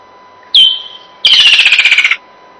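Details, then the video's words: Woodland kingfisher, a mainly insect-eating kingfisher whose call signals summer coming, gives a sharp high note, a short pause, then a fast descending trill of rapid pulses that sounds like laughing. "Um, and I'll play the call and then I'll check as well whether the sound level is right for [Music] that. Yeah,"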